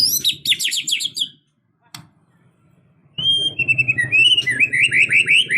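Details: Emotional fighting song of a white-rumped shama, full of varied phrases. High pulsed trills, a pause broken by one click, then falling whistles and rapid warbled notes over a steady low hum.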